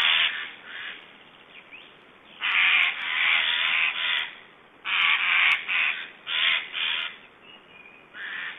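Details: Black storks in Estonia, filmed on 1 July 2012 around feeding, give harsh, raspy, hissing bursts, each about half a second to a second long, in uneven clusters with short quiet gaps between.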